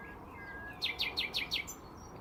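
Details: Nightingales singing in hedges around Braziers Meadow, Orwell Country Park: after quiet low whistles, a run of five loud, identical downward-sweeping notes repeated rapidly and evenly, followed by a thin high whistle.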